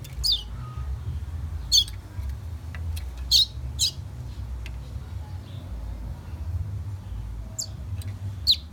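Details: A young fire red from Guyana, South America: scattered loud high chirps sweeping downward, a few closely paired, separated by quiet gaps of one to several seconds over a low background drone.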